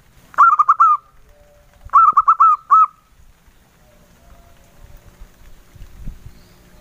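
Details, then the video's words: Local male zebra dove singing engkel style: two quick phrases of soft rolling coos, each ending in a slightly longer note, then a quiet stretch with faint low rumbling. "SUARA PERKUTUT LOKAL JANTAN, SUARA ENGKELnya YG EMPUK BANGET"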